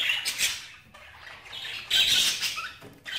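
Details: Budgerigar giving harsh, squawky high notes in two loud spells separated by a quieter stretch of faint chatter, ending with a sudden sharp burst.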